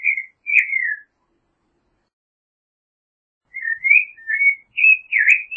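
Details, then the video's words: Creamy-bellied thrush song: a couple of whistled, falling phrases, a pause of over two seconds, then a quick string of rising and slurred whistles ending in a sharper note. "Zorzal Chalchalero Canto - Creamy-bellied Thrush Song"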